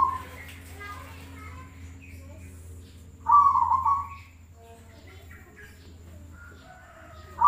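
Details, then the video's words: Zebra dove, a contest and everyday songbird: an isolated rolling, quavering coo of under a second stands out from a quiet stretch with a low hum. A brief note begins again right at the end. "suara perkutut paling bagus buat lomba dan harian"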